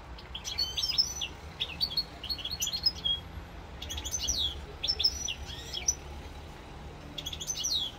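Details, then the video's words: Corsican recording of a European goldfinch from 7 November 2022: lively, rapid phrases of high chirps, trills and upward-sweeping notes in quick succession, separated by short pauses, over soft low-pitched background noise. "chant chardonneret"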